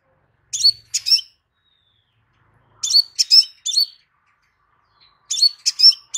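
Crimson sunbird giving high, thin, sharp chirps in quick clusters of three or four, repeated every two to three seconds against a quiet background.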